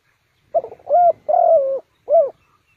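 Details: Cooing of a spotted dove used to lure wild birds into a trap: a brief stutter, a rounded coo, a long level-then-falling coo and one closing short coo, in quiet surroundings.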